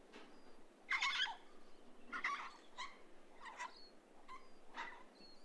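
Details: A flock of pink cockatoos swinging on an old telegraph line gives harsh, grating screeches in uneven bursts about once a second, several birds calling, with faint thin whistles in the background.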